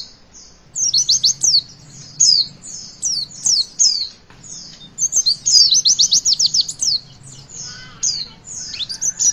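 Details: To coax young birds into singing, a Javan white-eye gives its 'witwit' song: clustered, very high twittering chirps in uneven bursts with brief gaps between phrases.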